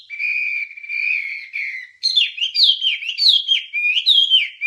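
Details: Wambie song used to train songbirds: long, level whistled notes held for about two seconds, then a lively stretch of looping, up-and-down warbled phrases. No other sounds.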